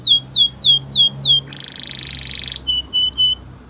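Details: Gloster canary singing for training: a run of about six loud, downward-slurred whistled notes, then a rapid buzzy trill lasting over a second, ending with short clipped whistles.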